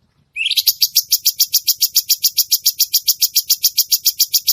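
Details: After a brief upward whistle, a cucak cungkok bulbul launches into a steady, fast, high, buzzy trill of evenly spaced notes, about five per second.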